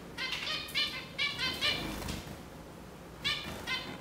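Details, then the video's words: Zebra finch uttering quick nasal, honking calls in short series, several close together early on, then a pause and two more near the end. "Zebra finch"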